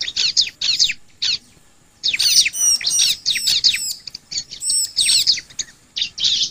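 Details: Lure song of a bar-winged prinia to stimulate other birds to sing: a few loud chirp clusters, a near-silent pause of about a second, then busy buzzy chirping mixed with high, ringing whistled slurs.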